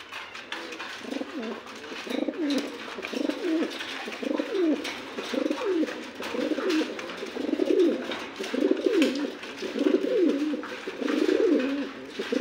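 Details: Several Andalusian domestic pigeons, including a new adult male, give low, rolling coos that rise and fall, repeated almost every second and overlapping, over a soft background hiss.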